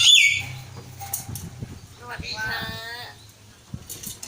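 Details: A pet common hill myna talks in short, nasal, speech-like phrases in Thai, such as greetings, with harmonic-rich syllables, opening with a sharp high whistle; faint background noise.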